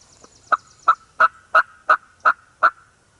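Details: Eastern wild turkey gobblers in the Mississippi woods: seven loud, hoarse, evenly spaced notes, roughly three per second, over a quiet background.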